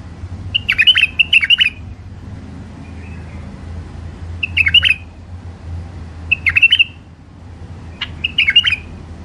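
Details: Hybrid finch singing short bursts of bright, trilled notes, repeated every couple of seconds over a low hum.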